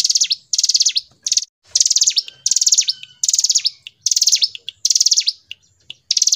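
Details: Hill prinia singing energetically in the Indonesian gacor ngebren style, used for tutoring and luring birds: bursts of very high, rapid, buzzy trilled notes, each about half a second long, repeated in quick succession with short gaps between them.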